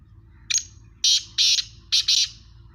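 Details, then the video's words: Sindhi teetar, a black francolin, delivering its rasping call: a brief sharp opening note followed by a paired burst and then two more grating notes close together, with faint background hum. "Sindhi Teetar Gangas Nasal ka Teetar Kala Teetar ki Awaz Mastail Teetar"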